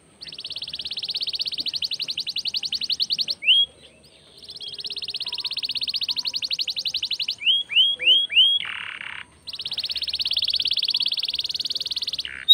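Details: Canary in vigorous song meant to prompt other birds to sing: extended fast rattling trills of rapidly repeated high notes, broken by a few down-slurred whistles and a brief lower buzzy note, then another long trill.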